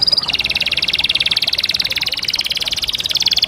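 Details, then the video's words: Canary song: a short high whistle, then a long rapid buzzy trill of pulsed notes, sustained and even for over three seconds. "The natural beauty of the amazing chirping of small birds"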